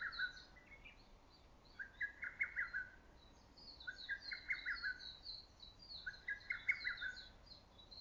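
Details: In early summer forest, a lesser cuckoo repeats its loud, ringing whistled phrase three times, each a rapid burst of notes about two seconds apart, while another bird's high, thin chattering song runs above.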